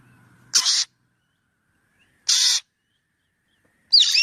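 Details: Black drongo calling: three short, harsh, buzzy bursts spaced under two seconds apart, the last one mixing in bright twisting whistled notes, with a faint low hum before the first burst and silence between calls.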